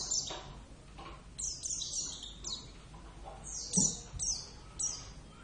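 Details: Home-kept Zosterops palpebrosus javanus, the Javan Oriental white-eye, singing lively runs of high thin twittering notes, each falling quickly in pitch, in clusters separated by short pauses; a soft knock sounds near the middle.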